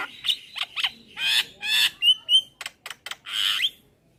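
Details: Male Javan myna calling companions, recording used to lure mynas: broad buzzy squawks alternating with short clear whistles and clicks, quiet background.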